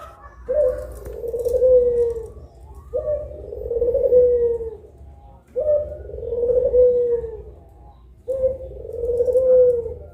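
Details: Two puter pelung doves cooing in broad daylight, a training recording for caged birds: long, mellow, slightly falling coos, each about two seconds long, repeated roughly every two and a half seconds, with a low background hum.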